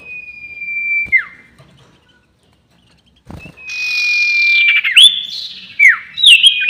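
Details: Sirtu bird giving its long-whistle lure call for trapping birds. A level whistle ends in a downward slur. After a silent gap, a second long whistle with a buzzy overlay ends in looping, rising-and-falling whistled notes.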